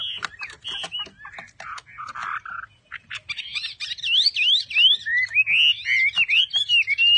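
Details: Chinese hwamei in captivity, held for sale in Vietnam, opening with scattered harsh notes and short squawks before launching into loud, looping whistled phrases that rise and fall in quick succession.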